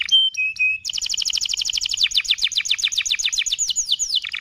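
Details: Canary singing a long, powerful song: a few steady whistled notes, then rapid trills of repeated downward-sweeping high notes, about four per second, continuing through to the end.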